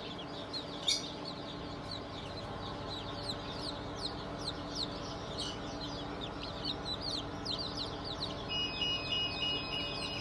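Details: Newly hatched chicks from a 20 June 2023 hatch of Cream Legbar, Sussex, Sultan and Fizan breeds. Many high, short falling peeps repeat rapidly, about three a second overall, over a steady low hum with a brief tone near the end.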